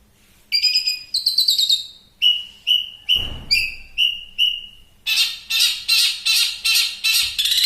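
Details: Varied song from a champion long-tailed shrike, kept as a master recording: rising slurred notes, a run of repeated ringing whistles with a brief low thump among them, then loud harsh rhythmic chatter.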